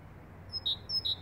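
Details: Great tit, a cheerful whistler, giving two quick phrases of its song. Each pairs a fine high note with a stronger, slightly lower clear whistle, over a low, steady rumble.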